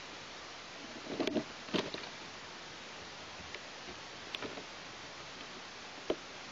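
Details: Quiet indoor hiss broken by a few sharp knocks and taps, and no animal voice.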